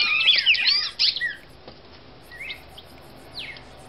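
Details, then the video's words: Female red-crested cardinal from Brazil singing a brief, rapid burst of high, twisting whistled notes for about a second and a half, followed by near quiet with two faint, short slurred notes. "1 Hora da Melhor Fêmea de Cardeal Vermelho do Brasil"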